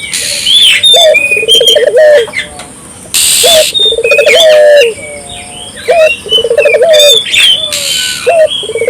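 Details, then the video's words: Barbary dove calling insistently as a lure to get local doves calling: repeated low phrases, each a short note then a fast throbbing trill, mixed with high chirps and whistles from other birds and brief hissing bursts. "suara burung puter gacor,merangsang burung puter lokal ikut gacor"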